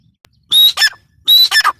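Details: Two short bursts from a grey francolin, each a high whistled note running into a coarse, grating double squawk, separated by a brief pause.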